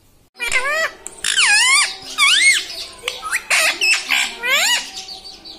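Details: A pet green ringneck parrot repeatedly says "Mami" in a shrill, squawky voice, several times in quick bursts with swooping pitch, indoors.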